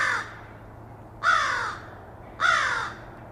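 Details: Crow, recorded directly, gives three harsh, hoarse caws about 1.2 seconds apart. Each is a short, slightly downslurred, nasal rasp over a faint steady low hum.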